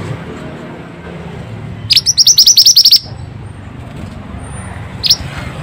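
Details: Lively Pied bushchat song meant to prompt quiet birds to sing: one fast run of high, sharp repeated notes lasting about a second, followed later by a single short note, with soft background hum.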